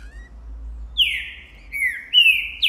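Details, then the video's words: A green-winged saltator, boi type, sings in January 2024 while showing off after seeing a female. A short quiet whistle comes first, then three bold descending whistled slurs, the last one rising again at the end. "Esse TRINCA canta MUITO!! O canto que ESTIMULA qualquer TRINCA FERRO a CANTAR também!!"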